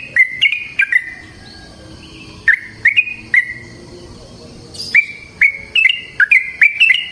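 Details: Yellow-vented bulbul with bright chirping notes in a long 'ropel panjang' lure song for other bulbuls: a few notes, a roughly one-second pause, spaced chirps, then a quick closing burst.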